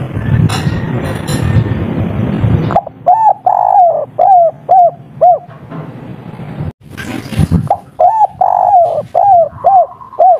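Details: Spotted dove, a local bird of the three-note kuk 3 style, calling hard: soft hooting coos repeated roughly twice a second in two bursts. Low rumbling noise comes first, then a brief loud clatter in between.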